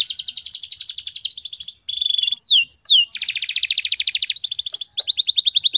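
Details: Canary singing in the morning as a tutor recording for training birds: dense fast trills of repeated notes, a short run of level whistled tones and two long sweeping slurs, then more rapid rolling trills.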